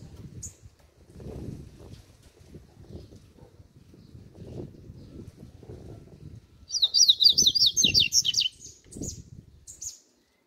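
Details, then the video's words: Double-collared seedeater with its 'grego' song style: one high chip, a long quiet stretch with low rumbling, then a fast, high, buzzy trilled phrase of about one and a half seconds, followed by scattered sharp chips. "CADA COLEIRO TEM SUA MEXIDA Essa é a do grego"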